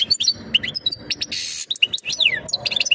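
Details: European goldfinch giving mating calls to ready a female for breeding; liquid twittering song of quick chirps and clear whistled notes, a harsh buzzy burst in the middle and a descending slurred whistle near the end.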